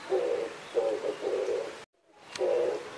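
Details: An Oriental turtle dove during mating gives low, hoarse coos in three quick phrases, then a short silence, a faint click, and one more coo.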